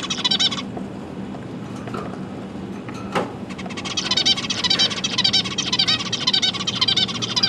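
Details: Pet zebra finch family with three juveniles and three new chicks fed by the parents, 12 December 2022: a short burst of buzzy calls, a pause with a knock, then a long, fast, churring run of high chatter over a low hum.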